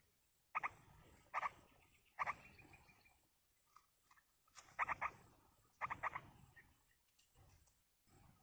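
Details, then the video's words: Wild yellow-vented bulbul nestlings being fed by a parent give loud, rasping begging notes, paired or tripled, in separate bursts roughly every second, with quiet gaps and faint rustling between them. "indukan burung trucuk meloloh anakan di alam"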